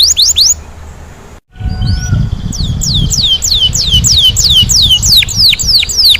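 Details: Canary in full rolling song: quick high slurs cut off by a brief silence, a soft rising whistle, then a long regular chain of loud downward-swept whistled notes ending in faster, sharper strokes, with low rumble beneath.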